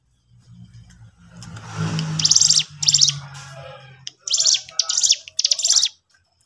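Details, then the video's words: Sooty-headed bulbul in strong voice, played to provoke other birds. A low hum leads into two harsh, high bursts, then a tight group of three more scratchy bursts after a short gap. "pancingan cigun gacor ini"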